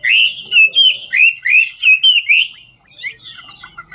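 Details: A dancing ngũ trường-type Chinese hwamei gives a burst of loud slurred whistles in quick succession, then softer scattered notes.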